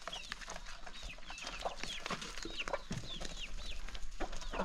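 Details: Flock of hungry chickens gathering at morning feeding in the countryside, with many short, rising-then-falling peeping calls over and over, soft clucks, and constant pecking taps.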